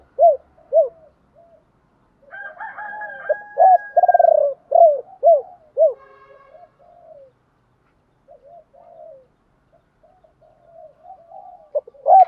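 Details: Spotted dove used as a decoy, singing the 'ba hậu' style to draw wild doves. Soft single coos lead into a rolling coo and three arched notes. A faint steady whistling tone sounds partway through.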